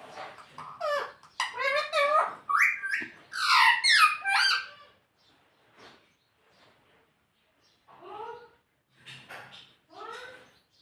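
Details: Indoor pet parrot, reported to talk and say "Mummy". A rapid string of raspy, word-like squawks with sweeping pitch for about five seconds, then a few softer, falling syllables after a pause.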